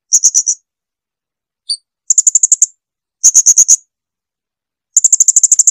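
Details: Training song of a blue-crowned hanging parrot for cage birds: short trains of rapid, thin, very high notes, four to ten per burst, with one lone faint note between bursts; no other sounds.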